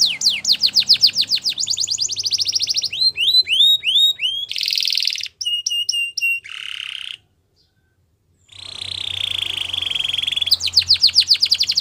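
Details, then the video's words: Canary in song, billed as wild and for training young canaries: quick downslurred trills, clipped repeated notes, a buzzy roll, a brief gap of silence, then the fast trilling resumes over low hum. "Canary Singing In The Wild"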